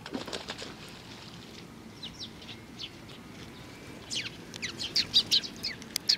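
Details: Sparrows with a youngster, 27 June 2019: faint scattered chirps early, then a closer run of sharp high chirps in quick succession near the end.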